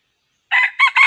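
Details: Wild red junglefowl, recorded while being trapped, gives the opening of a crow: three hoarse, buzzy bursts in quick succession, cut off mid-call.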